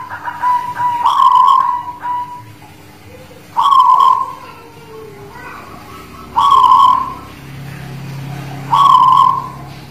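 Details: Guling Murio zebra dove in song ('manggung'), Demak: a run of rolling coos, then three more purring phrases at about two-and-a-half-second intervals, with a soft low droning background.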